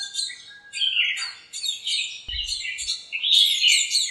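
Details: Sunny-morning chirping from birds crowding a backyard lemon tree, communicating and quarrelling. Dense overlapping high chirps and twitters, about four per second, with one dull low knock midway.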